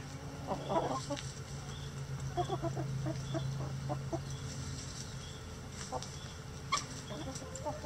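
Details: Backyard chicken flock in a sunny coop, a mix of egg-laying breeds, bantams and barnyard mixes with over 20 roosters; irregular bursts of short clucks and clipped calls over a steady low hum.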